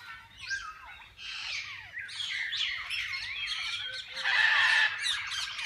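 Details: Various parakeets in a parrot zoo's walk-in aviary, handled and fed by visitors: constant layered chirping and warbles from many birds, growing louder near the end with a sustained buzzy note.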